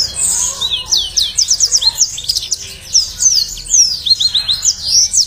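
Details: Lively yellow-fronted canary song played as a lure and tutor recording for kept birds: fast, high, twittering phrases of downward-sweeping whistles and short repeated notes, delivered almost without pause.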